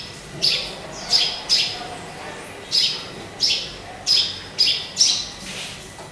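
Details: Pet sparrow in a cage, hung high with nobody nearby, giving a steady run of sharp high chirps roughly every half second to second, eight or nine notes, over quiet room noise.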